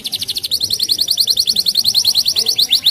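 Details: Canary delivering a steady, fast trill of short, slightly rising repeated notes for the whole stretch, bright and high-pitched with a pulsing rhythm.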